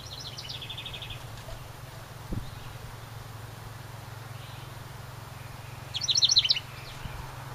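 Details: House wren perching near its nest in a ceramic birdhouse at a cabin gives a brief high trill at the start, then a loud, jumbled burst of sharp notes near the end, with a thump in between.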